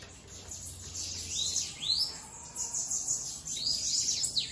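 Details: Bananaquit (sibite) out of its cage, pouring out very high, wheezy, curved notes in a rapid jumbled string with a steady hiss behind.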